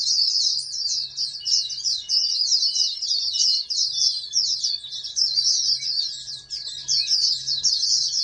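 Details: Oriental white-eye bred in captivity as a national champion prospect, giving a long continuous stream of high rapid twittering and chattering notes with hardly a break, faint hum underneath.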